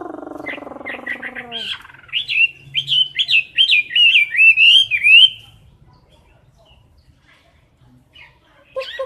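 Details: Chinese hwamei kept in a cage, singing for competition: after a low pulsing hum, a burst of loud looping whistles and fast slurred notes for about three seconds, then near silence and a faint closing chirp.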